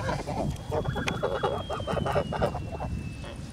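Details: Farm flock of Kholmogory geese, August 2017: dense overlapping nasal honks chattering almost continuously for over three seconds, with a faint steady high whine and low background rumble.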